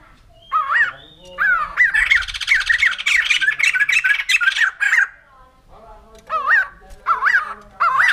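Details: White-crested laughingthrush (poksay jambul putih) alternates rising-falling whistled phrases with a stretch of harsh, rapid cackling, then returns to spaced wavering whistles.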